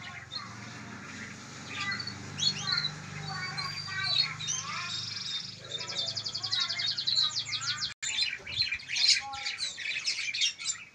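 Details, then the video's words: Local canary chick aged one month giving high chirps and twitters, building into fast trilled passages in the second half, over a faint low hum. "Anakan Kenari Umur 1 Bulan"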